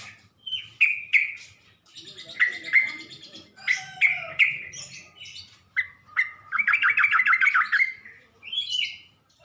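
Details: Sooty-headed bulbul (trucuk) singing as a lure to draw responses from other bulbuls: clear whistled and bubbly phrases, irregularly spaced, then a fast rattling trill near the end and a final short rising note.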